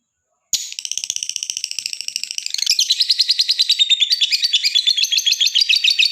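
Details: Lovebird in ngekek, the long continuous chattering song, used as a lure to set other lovebirds singing: after a brief silence a dense, shrill, rapid chatter starts, pulsing about three times a second and growing louder and harsher.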